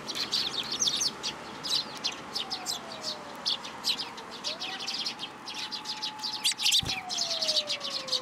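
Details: Sparrow chick seeking food in a plum tree at a Tenmangu shrine, 15 June 2022: busy high chirping throughout, over a steady lower whine that slides up and down, and a single dull thump near the end.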